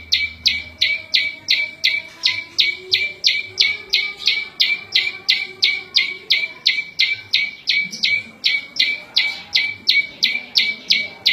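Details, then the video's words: Long, very regular series from a prenjak lumut prinia, song used to tutor cage birds and draw in wild birds: quick high chips with a lower steady tone beneath, about three per second throughout. "Suara Variasi prenjak lumut cocok buat masteran&pikat burung liar"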